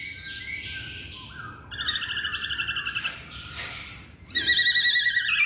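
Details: Masked laughingthrush producing two bursts of rapidly repeated, buzzy, harmonic-rich notes, separated by softer sliding tones.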